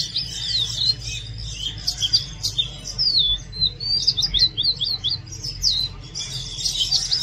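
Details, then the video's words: Loud, relaxing song of an Oriental magpie-robin, a rich stream of high whistled and twittering notes, rapid slurred phrases running almost continuously over a low background hum. "Oriental magpie robin Song | Oriental magpie-robin Sound | Oriental magpie-robin Call"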